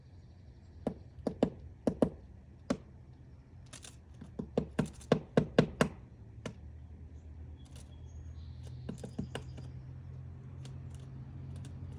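Irregular sharp knocks and taps on wood, some in quick bursts, over a low steady hum, with no animal voice.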